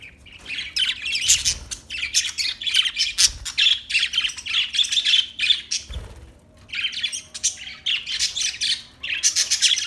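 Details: Budgies chattering almost without a break in busy, buzzy warbled phrases, with one brief pause before the scratchy chirping resumes; some low knocking underneath.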